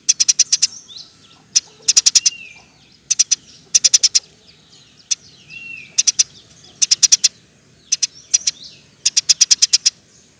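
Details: Energetic 'gacor' singing of a Eurasian tree sparrow, meant for training other songbirds: repeated clusters of shrill clipped chirps, some single, some in fast runs of six or more, with a few faint slurred notes between.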